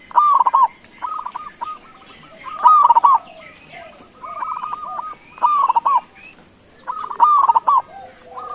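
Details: Several local perkutut, or zebra doves, coo to provoke replies: rapid rolling phrases of stuttered hoots, each burst beginning with a buzzy trill, repeated roughly every two seconds, doves overlapping; thin high hum behind.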